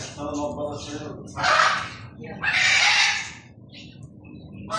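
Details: Macaws in Sharjah give two loud, raspy squawks, the second longer and harsher, after a stretch of talking voices.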